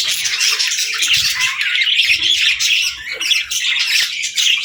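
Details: Several caged parakeets and lovebirds chatter at the start of the day, a thick layer of rapid chirps, trills and short squawks, with a short lull near the middle before the chatter resumes.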